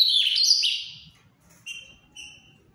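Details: Ultramarine grosbeak singing the Paraná-style song, a type held to be Brazil's most beautiful: a loud, rich warbled phrase of quick high notes lasting about a second, then a pause and two brief clear whistled notes, with faint low background noise.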